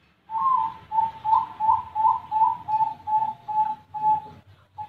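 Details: Bangkok-type zebra dove kept at a bird farm in Buleleng, Bali, Indonesia, cooing a steady run of about ten soft, even notes, each roughly half a second apart, with a faint low hum behind.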